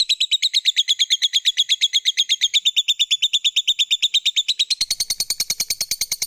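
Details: Lovebird, a fighter-type bird in full voice, giving a long ngekek trill meant to prompt other lovebirds to answer: a fast, even train of sharp high notes, about six per second, turning harsher and buzzier near the end.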